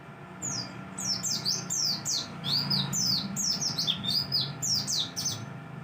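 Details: Mountain white-eye singing in the morning: a fast, continuous stream of thin, high, sliding chirps and twitters, many notes dropping in pitch, over a steady low hum.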